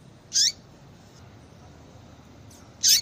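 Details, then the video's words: Calling female Yellow-bellied Seedeater, meant to get a male ready to breed: two bright, high, buzzy chips two and a half seconds apart, the first dropping at its end, with a faint note in between over low hiss. "fêmea de coleiro baiano chamando Muito Para Esquentar coleiro baiano"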